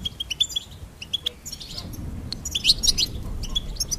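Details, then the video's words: Goldfinch delivering a string of crisp, high, evenly spaced chips, then a brighter jumble of twittering and tinkling notes over a faint low background. "Goldfinch Singing and Song Compilation"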